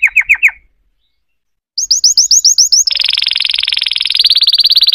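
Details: Canary singing a quick four-note chirping figure, a pause, then a string of sweeping downslurred notes leading into a fast, steady, high trill that rolls on to the end.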